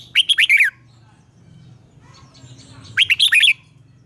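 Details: A red-whiskered bulbul trained for morning singing gives a short phrase of five bright, warbling whistles. The phrase comes again after about two seconds of quiet with a faint low hum underneath.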